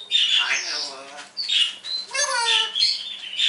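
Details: Indoor parrot, cheerful in the morning, talking and copying noises: throaty, speech-like syllables with rich tones, mixed with high squawks and short whistled beeps.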